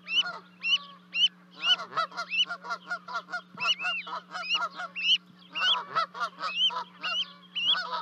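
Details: Canada geese honking in Charlo, Montana, 12 May 2020, as two goslings jump off a 30-foot-high osprey nest to reach their parents; quick arched honks mixed with bursts of shorter clipped calls, steady electrical hum beneath.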